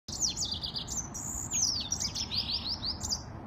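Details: Yellow-fronted canary singing a rapid, continuous high-pitched warble of slurred, sweeping notes and short descending trills. The song runs without pause through the whole stretch over a faint low background hum.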